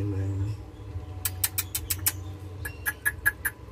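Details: Hand-raised blue-eyed cockatoo chick, two days old, begging with its mouth open: a run of short, sharp raspy chirps repeated about every fifth of a second, over a low indoor hum.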